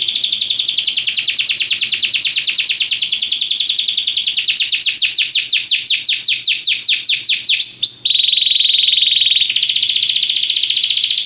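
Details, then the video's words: Belgian canary singing during song training: long loud trill of rapid high notes that slow into descending swoops, then a sharp switch to a steady buzzy high roll near the end. "canário belga cantando mais espectacular! treinamento canario belga"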